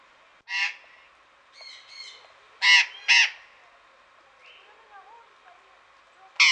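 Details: Burrowing parrots in the Deanery garden at Pelhřimov on a February Friday afternoon, 16 February 2018, giving loud, harsh, grating screeches in short bursts, some closely doubled, with softer paired chatters between and quiet gaps.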